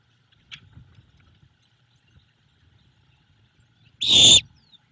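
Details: Great horned owlet in a nest on a nest cam near Savannah, begging for food from its mother: one loud harsh hissing screech, after a faint earlier note and soft rustling.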